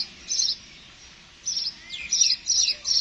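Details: Sparrow calling with bright, high chirps in short bursts. One comes early, then a pause, then a tighter series of four chirps with a few descending slurred notes between them.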